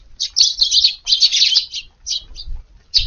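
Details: Eurasian tree sparrows at a garden feeding spot around 5:30 in the morning in rainy weather, 2 August, give busy, overlapping high scratchy chirps in quick bursts with brief pauses.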